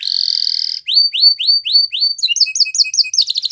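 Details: Spanish Timbrado canary: a buzzy trill, then a series of rising slurred whistles, then quick paired chattering notes and a rapid rattle at the end.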